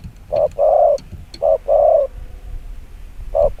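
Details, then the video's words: Short burst of spotted dove 'chiêu gù kích bổi' cooing: a quick coo, a longer drawn note, then repeated, with a faint coo at the end. "Tiếng chim quân tử chiêu gù kích bổi cực nhanh"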